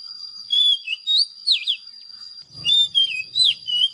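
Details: Oriental magpie-robin giving clear whistles and looping slurred notes, with a brief low rustle midway and a persistent high tone throughout.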